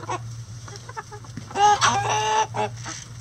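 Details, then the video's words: Chicken at the coop during morning feeding, a harsh nasal squawk of about one second with strong harmonics, preceded by faint short clucks and followed by a brief quieter call, over a steady low hum. "Feeding The Chickens | Relaxing Chicken Coop Sounds"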